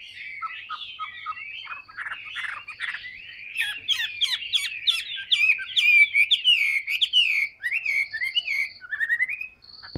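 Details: A big, tame Chinese hwamei kept in a cage pours out continuous song, with short piping notes, then tumbling, buzzy and whistled phrases in quick succession, closing with rising slurred whistles.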